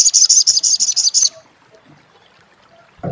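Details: Rapid crecet chatter from an olive-backed sunbird (sogok ontong): a quick string of about a dozen high, scratchy notes lasting just over a second, then near silence and a faint low thump at the end.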